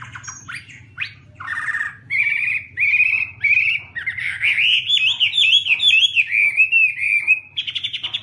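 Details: Chinese hwamei (Garrulax canorus) singing: a loud, varied run of clear whistled phrases, rising and sliding notes, with quick trills and slurred warbles, over a low steady hum.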